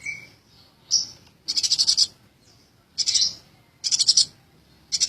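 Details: A tame Eurasian tree sparrow gives clusters of quick, bright chirps in rapid pulses, each cluster about half a second long and returning roughly every second, with softer single notes between them.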